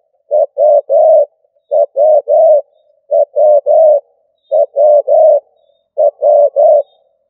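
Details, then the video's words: Spotted dove used as a decoy bird, giving the stuttering cà lăm coo style: low, mellow coos in quick bursts of one short note then three fuller ones, bursts repeated about every 1.4 seconds; clean background. "Cu gáy mồi gù cà lăm"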